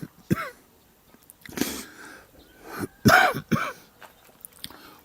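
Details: A person clears their throat and coughs several times in a small room, with no animal sounds.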